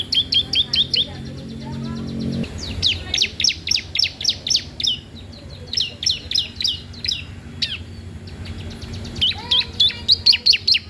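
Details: Bar-winged prinia singing loudly, used as a master recording or lure for training other birds: rapid series of sharp high chirps and downslurred notes in bursts, with faint background hum and low rumble.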